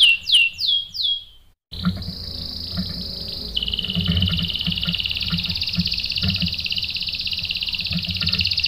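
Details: Canary song used as a lure to provoke a male canary into answering. Quick descending whistled notes give way, after a short gap, to a long, steady, buzzy rolling trill. A low hum sits in the background.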